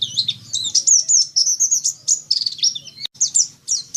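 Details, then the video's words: White-eye (pleci dakun) song: rapid high twittering of thin warbled and slurred notes in a continuous run, with brief pauses and a faint low hum beneath. "Suara pleci dakun"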